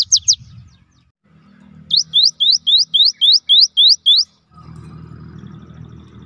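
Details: Cinereous tit (gelatik batu) rolling song as a lure for lazy singers: two quick notes, then a run of about eight rising whistles at even pace, followed by a low rumbling hum.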